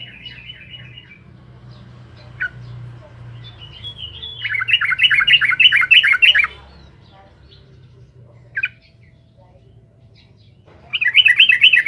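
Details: Yellow-vented bulbul (trucukan) in gacor song intended to agitate rival birds: a short chattering phrase, then two loud bursts of rapid, bubbly, rolling notes separated by quiet gaps with single sharp chirps.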